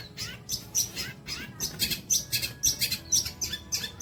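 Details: Long-tailed shrike singing, a recording meant for training songbirds: rhythmic harsh chattering bursts roughly twice a second, several capped by a brief thin high whistle, over quiet low background noise.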